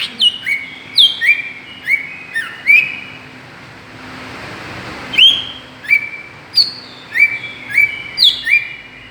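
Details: Greater green leafbird lure sound for provoking other birds: rapid whistled pairs, high then low, in two bursts separated by a short hiss-filled pause.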